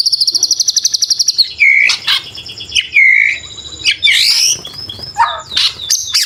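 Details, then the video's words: White-rumped shama, or murai batu, giving a full-song training recording with 'isian' and 'tembakan': a fast, even trill, then loud swooping whistles and harsh chattering bursts. "BURUNG MURAI BATU FULL ISIAN & TEMBAKAN"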